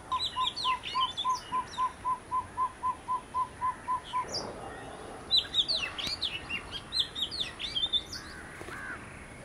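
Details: One of a visiting pair of Oriental magpie-robins gives bright, jumbled whistled phrases. For the first four seconds a run of evenly spaced low hooting notes plays alongside, then the singing grows denser and more varied.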